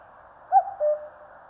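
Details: A single two-note cuckoo call from the Korean mountains, a short higher note dropping to a longer, lower held tone, against constant hiss.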